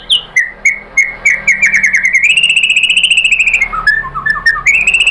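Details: Lure song of a white-rumped shama for triggering other shamas to sing; a few slurred whistles lead into a long, fast, evenly repeated trill of clear notes that drops lower, then rises again.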